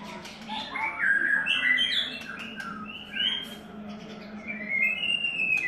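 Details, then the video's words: White-rumped shama, third molt, singing a mellow string of gliding whistles and brief warbles, with a long clear rising note near the end over a soft low background hum. "White Rumped Shama"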